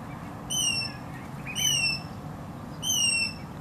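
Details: Hornbill fledgling leaving the nest: three loud harmonic calls, each a rising then falling squeal, spaced about a second apart, over steady low background rumble.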